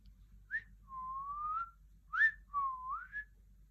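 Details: A pet parrot whistles two clear phrases: a quick upward chirp, then a long, smooth whistle. The first phrase rises gently; the second dips, then climbs. A faint low hum underlies it.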